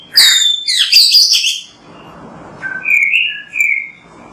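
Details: Oriental magpie-robin training song: a burst of loud high whistles and chatter, followed by quieter, drawn-out whistled notes.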